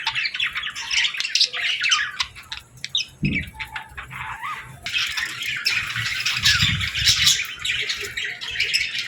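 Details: Baby budgerigars and lovebirds eating and interacting at feeding time, many birds twittering in high, rapid chirps, a brief dip in the chatter midway, then the busy chorus resumes beside a low knock or two.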